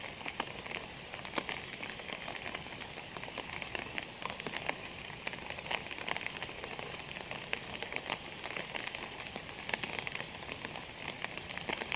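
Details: Steady rain pattering and crackling on a surface, with no animal calls heard.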